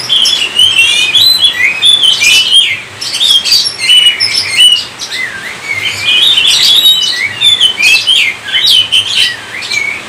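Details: Kacer, the Oriental magpie-robin, singing continuously and loudly: a rich jumble of high whistles, rapid trills and scratchy twittering notes with hardly a pause across ten seconds.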